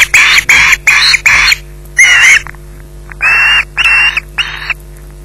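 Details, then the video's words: Osprey at its nest at Loch Garten, holding a fish delivered at 20:33, giving harsh, buzzy screeches: four quick screeches, one longer one, then three more after a pause, over steady low electrical hum. "Bynack screeching in possession"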